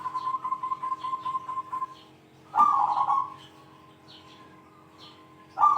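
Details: Zebra dove singing in a big 'kung' voice, calling out rivals, as a training master for other doves: a run of quick even cooing notes, then a loud rolling trilled coo after a pause, and another starting at the end.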